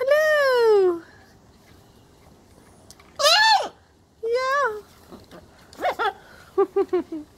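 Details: Playful pet blue-and-gold macaw talking and laughing with its owner, giving a long falling call, then several shorter arched phrases and a quick run of clipped, speech-like syllables.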